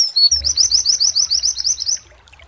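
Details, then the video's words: White-eye (pleci) in a training recording, singing clear imitated mantenan phrases. Two high whistles lead into a fast, shrill series of about a dozen rising chips that stop abruptly. A faint low rumble sits underneath. "MASTERAN PLECI NEMBAK MANTENAN JERNIH"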